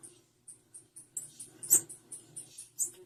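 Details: Female blue-black grassquit calling: thin, very high chips repeated roughly every quarter second, one louder note near the middle, over a faint low hum.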